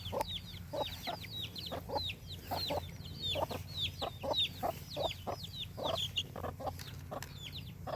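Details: Farm chickens calling, with short high chirpy notes and lower clucking bursts scattered irregularly over a steady low hum.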